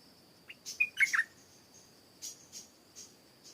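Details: In a garden said to hold a fine singer, a stripe-throated bulbul gives one quick warbled phrase of three or four liquid notes. Faint high chirps and a constant shrill insect tone fill the background.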